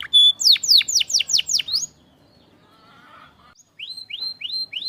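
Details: Canary song for stimulating canaries that have stopped singing: a burst of loud falling sweeps, a quiet gap, then rising upslurred whistles repeated about twice a second.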